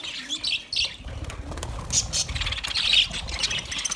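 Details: Budgerigars in a group, recorded 29 February 2024, giving busy high chirps and warbling chatter that overlap continuously, with low rumbling handling noise underneath.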